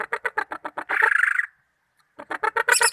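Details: Greater green leafbird (cucak ijo) from Malinau: evenly spaced rapid notes run into a harsh buzzy burst, a brief silence, then the quick repeated notes resume, growing louder.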